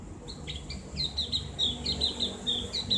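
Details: Javan grey-throated white-eye in ngriwik twittering, used as caged-bird therapy audio: a quick series of high, bright chirps and short slurs repeated about once per beat.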